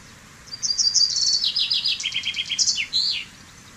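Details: Chaffinch song phrase, the common chaffinch giving about three seconds of quick high notes that tumble downward in distinct trilled sections and end with a sharp terminal twist.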